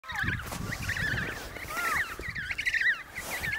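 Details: Emperor penguin chicks in the Snow Hill colony, Antarctica, in November 2018. Many wavering, warbling whistles overlap continuously from a crowd of birds, with gusty wind-like noise underneath.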